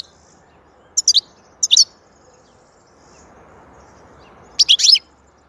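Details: High, sharp chirping from a European goldfinch, called soothing: paired quick notes, then a denser, longer twittering phrase near the end, set against a low, steady background murmur.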